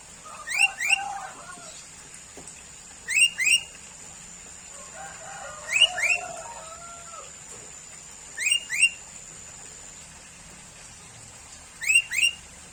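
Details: Sooty-headed bulbul repeating short paired rising chirps about every two to three seconds, while a lower, chattering bird calls faintly in the background.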